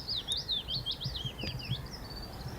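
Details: A Willow Warbler sings from the treetops of barely-leafed trees on a bright, chilly spring day at Summer Leys, 24 April 2016: a soft, high cascade of sweet notes sliding gently downward, over low rumbling wind and footstep noise.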